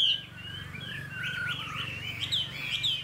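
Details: Caged Chinese hwamei in Vietnam, a fighting-display bird noted for good singing: short run of slurred, warbling whistles with sharp high accents, over a steady low mechanical hum.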